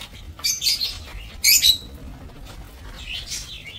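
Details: Lovebirds in an aviary used for breeding, 22 November 2024. Two loud bursts of piercing, high chirping come early, followed by softer twittering near the end, with steady low background noise.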